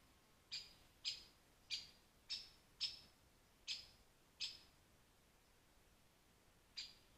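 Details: Pied flycatcher, described as rare, at a forest pond in Wales, giving a run of short, bright, high-pitched ticks about every half second, then a pause before one final note; otherwise quiet.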